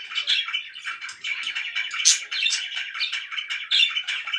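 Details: Noisy pet budgerigars chattering nonstop, mixing rapid warbled twitters with scratchy squeaks, one sharp high chirp standing out midway.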